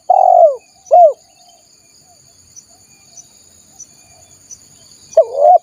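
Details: Lure call of a spotted dove meant to attract wild birds: a long hoarse coo and a shorter arched one, several seconds of near silence, then a fresh pair of coos; a faint high steady tone continues.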